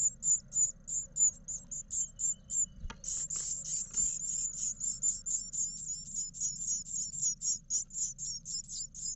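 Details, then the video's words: Begging chorus from nine eleven-day-old great tit nestlings in an Israeli nest box during a parent feeding visit; shrill hissing pulses rush together after a click near three seconds, then settle into rapid regular bursts. "Parents feeding twice the 9 eleven day nestlings in the live Israel great tit ירגזי CAM"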